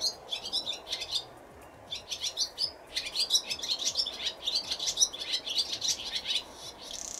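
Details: Barn swallow nestlings in a nest in Japan on a sunny 8 April 2020, about 16 days after hatching, practising wing-flapping during feeding visits. They give a busy chorus of high, thin chirps and twitters in rapid overlapping bursts with brief pauses, over a soft low hum.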